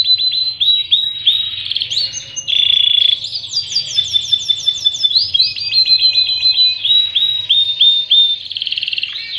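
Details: Tutor song of a Panda canary, meant for teaching young birds and coaxing silent ones to sing: a steady whistled tone, then rapid descending note series, buzzy rolls and quick chattering trills that run on without pause.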